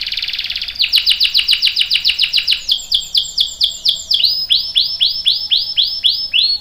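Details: Canary singing: a short buzzy trill leads into fast repeated sweeping chirps that gradually slow into spaced, arched whistled notes repeated about twice a second.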